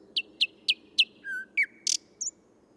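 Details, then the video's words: Male Thrush Nightingale singing in Tsaritsyno park, Moscow, on 12 May 2022, recorded with a parabolic microphone: four sharp chirped notes in quick succession, a low pure whistle, two slurred downward notes, a harsh rasping burst, then a brief high note. "Соловей | Thrush Nightingale | Luscinia luscinia, ♂ поёт"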